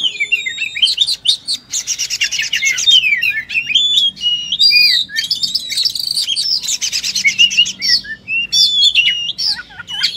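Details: Oriental magpie-robin delivering non-stop fighting song, mixing sweet slurred whistles, rising and falling notes and bursts of harsh buzzy rattles in quick succession.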